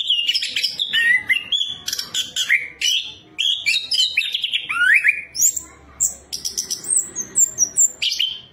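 Orange-headed Thrush pouring out a rich, varied song of sweet whistles, slurred notes and scratchy chatter in quick, unbroken phrases, with high twittering mixed in.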